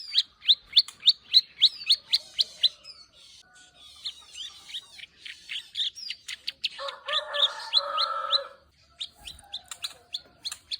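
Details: Plain prinia (ciblek sawah) singing energetically in the ngeriwik style with clicking notes: sharp high ticks repeated several times a second, broken mid-clip by a lower, harsher warbling phrase, then clicking resumes.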